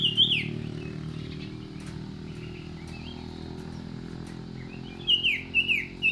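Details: Common iora calling with high, steeply falling notes, a pair at the start and a quick series of four near the end. A faint steady low hum fills the quieter middle.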